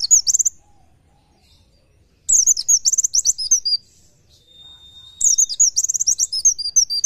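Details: Masteran tutor recording of an Oriental white-eye in the fast 'nembak nyepeed' style. Several bursts of high, sharp twittering notes are separated by pauses, with one long level whistle between phrases.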